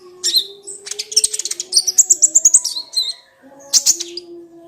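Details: Crimson sunbird, called kolibri ninja, singing to trigger a silent sunbird. A quick series of sharp, metallic high chips forms a rapid trill, then a pause and a final squeaky burst, over a low hum.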